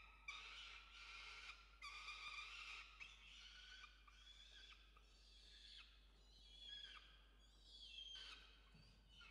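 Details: Peregrine falcons at a nest in Orange, Australia, filmed on 5 November 2021 during evening feeding of the chick: loud, harsh, screeching calls in long rasping bursts, repeated with short gaps, plus some thinner squealing notes near the end.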